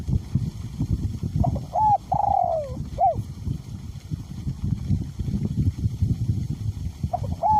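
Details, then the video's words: Cooing of a spotted dove kept as a decoy bird, its voice small to middle, in strong wind: one full phrase with a drawn-out falling coo between short notes, and another phrase beginning at the end, all under heavy gusting. "ชม นกเขาใหญ่ เจ้าเทพ อสูญ🌟ลมแรงขนาไหนก็ขันครับ?"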